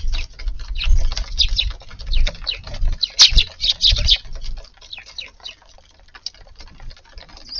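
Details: Eurasian tree sparrows visiting a garden at lunchtime on a warm 10 February day, feeding; scattered short high chirps come in a loose burst midway, over low thumping and tapping noises.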